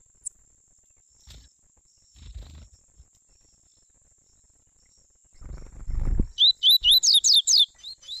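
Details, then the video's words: Double-collared seedeater song, father and son, a warm-up: soft rustling and low thumps, then a quick series of bright, slurred whistled notes repeated about nine times in a little over a second. "Coleiro tui tui pai e filho o melhor Esquenta para coleiro preto e pardos"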